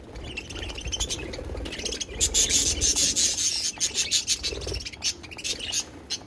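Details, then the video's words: Pet budgies warbling: dense, scratchy high chirps and squeaks run almost without pause, loudest through the middle. "beautiful budgies sound | parakeet singing"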